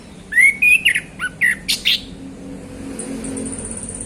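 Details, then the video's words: Male orange-headed thrush singing relaxed in the afternoon in the open ngeplong style: a run of clear whistled phrases, some slurred and rising, others short and choppy, packed into two seconds, then a faint thin high hiss. "Anis Kembang Ngeplong Santai Sore"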